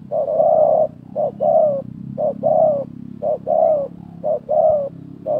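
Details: Loud, close spotted dove coos during a 2024 trapping session where a decoy dove and a wild dove call against each other: short clipped notes alternating with longer rolling coos in a steady rhythm.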